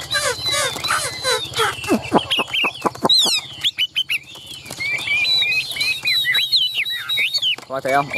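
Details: An agitated caged Chinese hwamei first makes harsh chattering and fluttering sounds, then breaks into rapid clear whistled notes repeated in quick runs.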